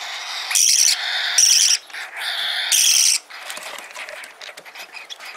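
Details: Young parakeet chick, a hand-tame pet from Fukuoka Prefecture, Japan, begging during feeding: three loud grating buzzy cries in quick succession, followed by faint ticking and scratchy feeding noises.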